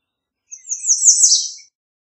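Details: Single high, wiry song from an American redstart: a fast sequence of thin notes over about a second, getting louder and dropping slightly at the close, with silence around it.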